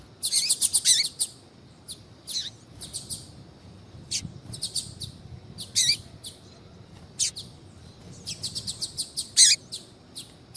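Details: Female double-collared seedeater calling to stir a male into singing, tied to the tui tui song style; sharp high chirps in dense bursts at the start, then scattered short notes and clustered chirps near the end, with faint low background hiss.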